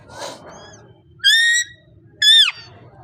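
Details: Parrot giving two strong, buzzy, harmonic screeches about a second apart after a softer breathy sound, with a low hum in the background.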